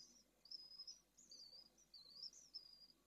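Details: Pallid swift at nest 2 in Jerez de la Frontera, where two second-clutch chicks have just hatched: thin, very high wavering notes in short strands of about half a second, faint over a quiet hiss.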